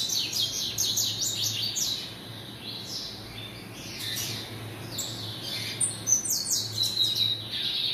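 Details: Caged double-collared seedeater, called coleiro, kept by a breeder, singing bright high twittering phrases of quick falling and rising notes in bursts, with a steady low hum underneath.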